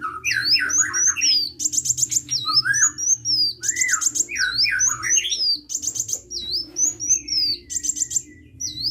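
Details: Sunbird in vigorous (gacor) song: dense, varied high whistles with quick rising and falling slurs, bursts of sharp buzzy trills repeated every second or so, and a constant low background hum.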